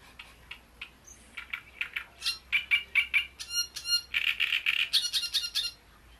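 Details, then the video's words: Song of a great reed warbler at the Bohdanečský rybník pond: hesitant scattered ticks grow into a loud, rasping, jerky chatter of repeated gurgling and squeaky syllables, ending abruptly; low hum underneath. "Rákosník velký"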